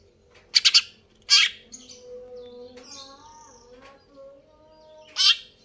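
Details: Greater green leafbird giving scattered harsh, scratchy high notes, a double burst then single ones, with faint tonal whines and hum between them.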